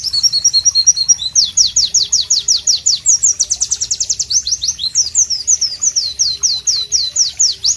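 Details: White-eye, known as Pleci, in loud and rhythmic masteran singing: a steady, rapid series of high, sharp, downward-slurred notes with buzzy trills, continuing without a break.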